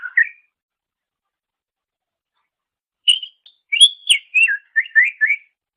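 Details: Cucak ijo (greater green leafbird) song used to train songbirds: a brief slur, a long silence, then a lively series of bright whistled and chattering notes.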